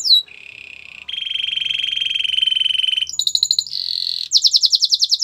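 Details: Belgian canary training song, meant to make other canaries sing: a falling whistle, then a long low buzzy roll, then bright high trills ending in rapid loud pulsed notes.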